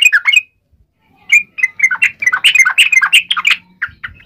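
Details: Fighting song of a yellow-vented bulbul, ngalas style, to make other birds reply: a short phrase of squeaky notes, a pause, then a lively tumbling sequence of varied chirps with a faint low hum.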